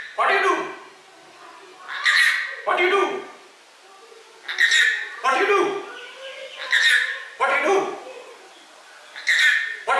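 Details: A pet rainbow lorikeet asks "What you do?" in short, raspy, voice-like phrases every two to three seconds when its owner tries to leave, with quieter murmuring between.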